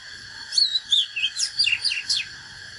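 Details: Fighting song of a natural Oriental magpie-robin: a short, fast sequence of clear whistled notes and steep down-slurs, around seven sharp notes, over a faint constant hiss.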